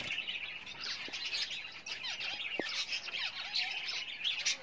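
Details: Short burst of Java sparrows busy with nest building for breeding; high overlapping chirps and squeaks with a few clear downward-sliding whistled notes.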